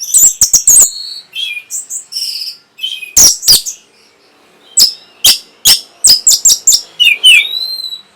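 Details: Orange-headed thrush in varied song meant to stimulate breeding and response: bursts of sharp high notes and whistles separated by short gaps, closing with a rising then falling slurred whistle.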